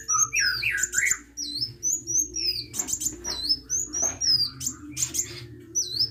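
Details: A hummingbird sings vigorously, opening with lower warbled notes, then continuing with high curved whistles and brief buzzy rattles, over a steady low hum.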